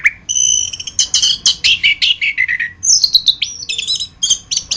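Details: Chestnut-capped thrush (Geokichla interpres) song used as a master recording for training songbirds: varied loud whistled phrases, descending slurred notes and rapid high chirps, in quick varied succession.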